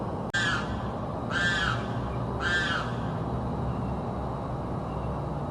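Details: Bird in South Florida that screams constantly day and night: a sharp click, then three rasping, arched screams spaced about a second apart, with low background hum throughout.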